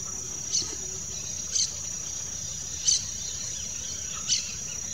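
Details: A pair of yellow-chevroned parakeets (Brotogeris chiriri) gives four brief, shrill, scratchy calls, spaced one to one and a half seconds apart, over a steady high-pitched insect drone.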